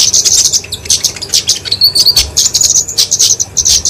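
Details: Fighting song of a kemade flowerpecker (genus Dicaeum), played to train and lure songbirds: fast high-pitched ticks and chips in dense clusters, broken by a short thin whistled phrase midway.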